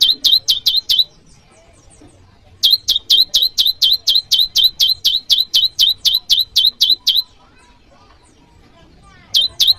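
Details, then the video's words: Bar-winged prinia rival calls, used to draw in wild prinias and train cage birds; three bursts of rapid, sharp, high chirps separated by short silences, the middle burst the longest. "Masteran burung PRENJAK LUMUT || Prenjak jawa Suaranya memanggil lawan"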